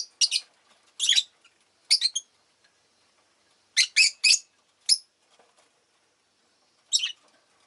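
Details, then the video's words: Household rosy-faced lovebirds, several birds, call actively with grating high chirps. The chirps come in double and triple clusters, then a pause before a final burst. "この日はみんな割とよく鳴いてました【Lovebird Chirping Sounds 、roseicollis、모란앵무、agapornis】"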